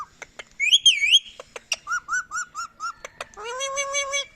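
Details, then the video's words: Ringneck parakeet mimicking speech: a wavy high whistle, clipped harsh syllables, a row of short even notes, then a rich buzzy held tone with many overtones, close and clear indoors. "2023 Funny Talking Parrot | Talking Mithu | Ringneck Talking"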